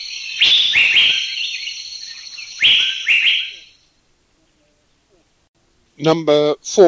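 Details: An Asian Fairy-bluebird, recorded in a Thai national park, gives loud, sharp, liquid notes in quick clusters, then a pause; a man's voice speaks briefly at the end.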